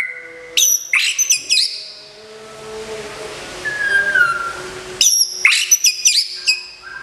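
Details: White-rumped shama, a caged contest champion kept in Kebumen, Indonesia, in moult care, gives bursts of quick, sharp, high whistled notes separated by a quieter gap holding a single drawn-out falling whistle.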